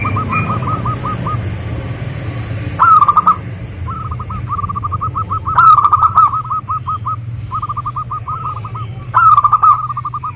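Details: Local zebra dove song used as a lure for other zebra doves: continuous runs of short hooked coos, several louder rippling bursts, all over a steady rushing background noise.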